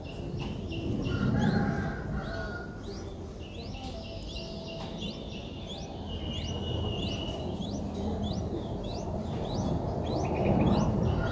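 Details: Streak-eared Bulbul nestling, five days old, in Ubon Ratchathani, Thailand, on 7 April 2023. Thin, high, rising squeaks repeat rapidly in quick series over a steady low rumble of background noise.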